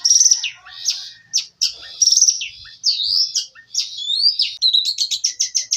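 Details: Canary song for training material: varied high chirps and scratchy notes that give way to rising and falling whistles, ending in a quick series of clipped repeated notes.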